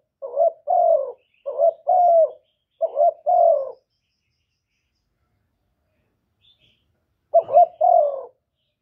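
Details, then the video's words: Spotted dove decoy cooing to attract other doves, recorded directly without noise: three quick hoarse coo couplets in close succession, then silence of over three seconds before one final couplet. "CU ĐẤT GÁY GỌI CHIÊU GÙ"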